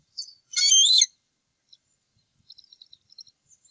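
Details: At an eagle nest on the Upper Mississippi River Refuge in early April, two adult males eat leftovers after the eaglets are fed; one loud, harsh, high squealing burst is followed by a run of soft ticking notes.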